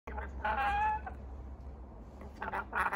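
A rainbow lorikeet gives a drawn-out, nasal squawk, then a few harsh, raspy screeches, a warning to be left alone, over a low indoor hum.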